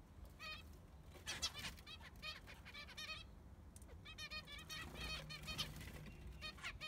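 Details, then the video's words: Baby zebra finch, one of six siblings, in an aviary: soft, nasal, buzzy calls with stacked harmonics, given in short clustered bursts and repeated runs across the recording, over a low background hum. "The New Baby (Zebra Finch Aviary)"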